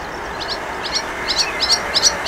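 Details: Flycatcher song played as a tutor recording for cage birds: thin, high chirps in short paired notes, spaced about every third of a second against a steady background hiss.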